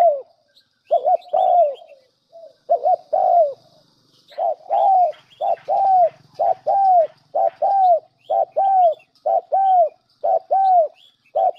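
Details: Lure recording of spotted dove calling: rapid run of repeated coos, short double notes followed by long falling coos, many phrases in close succession; light high chirps and faint background hum.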